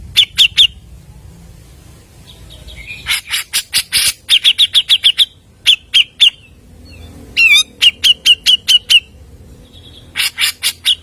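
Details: Continuous, fast Grey-cheeked bulbul song meant to lure other birds: sharp staccato chatter in tight series, mixed with short whistled chirps and one slurred note, the runs broken by gaps of a second or two.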